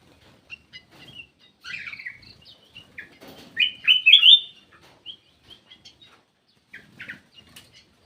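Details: Lure call of a black-crested bulbul: a bright slurred whistled phrase in the middle, surrounded by scattered soft chips, clicks and short notes.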